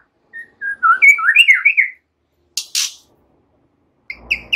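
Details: Calm song of a white-rumped shama mixing in cililin and ciblek phrases, played to spur other songbirds: a tumbling cluster of slurred whistles lasting about a second, two harsh rasps, then a final brief whistle.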